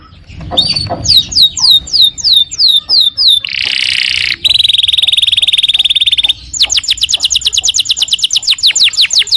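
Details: Canary singing in the energetic gacor style, used as masteran tutor song: a fast, varied strophe of descending whistled notes, a buzzy rattling roll, a long steady trill, then a rapid string of repeated upward-sweeping notes.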